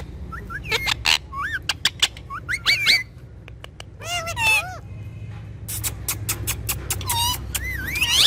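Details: Pair of pet parrots known for talking, mixing wavy whistled squeaks with sharp clicks. Warbling looping notes are followed by a burst of rapid clicks and a low steady whistle.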